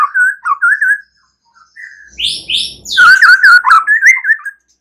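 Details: White-rumped shama night-time lure song for stimulating a bird to sing: clear whistled phrases warbling around the middle pitch, a pause, then a brief high-pitched burst of notes and a lively run of looping whistles.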